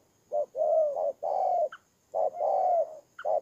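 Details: Spotted dove used as a decoy bird, recorded in Kon Tum, Vietnam, on 23 September 2018; low, mellow coos in a repeated phrase, a short note, a long drawn coo, then a shorter one, with a faint high chirp.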